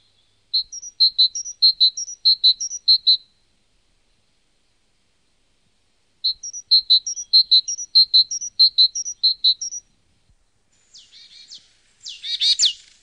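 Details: Great tit singing in one of several postures and song types: two bursts of rapid, bright repeated two-note phrases separated by a pause, followed by a short rustling, noisy sound near the end.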